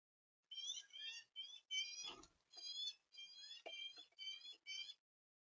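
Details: Female house sparrow at a bird camera, giving a quiet series of short, harsh chirps. There are about eight chirps or chirp clusters over four seconds, with brief pauses between them.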